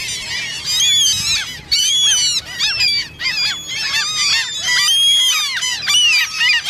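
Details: Common gulls give loud squeaking begging calls in the mating season. Bursts of sharp, rising-and-falling squeals from several birds crowd together, broken by short gaps.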